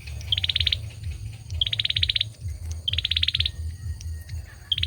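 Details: Singing male olive-backed sunbird: four quick, high, rattling trills about a second apart, each starting with a sharp accented note. A constant low hum runs under the song.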